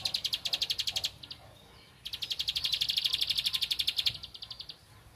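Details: A bar-winged prinia looking for a rival gives rapid, high, clicking notes in a one-second burst, a short silence, then a two-second run that fades into quieter notes.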